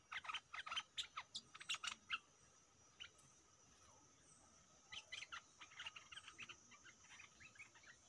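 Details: Caged decoy stripe-throated bulbul singing at captured wild birds: two bursts of quick, bubbly chirped notes, the first dense and rapid over two seconds, the second a looser run of chirps after a pause, against a steady faint hiss.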